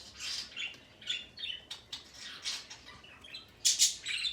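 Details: Male parrot making rough, high squawks and chirps in short bursts, with a louder, harsher burst near the end.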